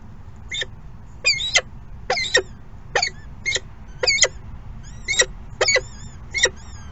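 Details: Peregrine falcon at the nest during late morning feeding: harsh, broadband calls, each a short burst with a doubled stroke, repeated about every half to one second. Thin, steady high whistles sound between them over a constant low rumble.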